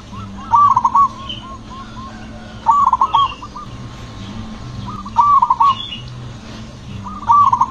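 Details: Aggressive zebra dove with a booming, soft song meant to set off other zebra doves. Four sharp bursts of stuttering coos, spaced two to three seconds apart, over faint background cooing.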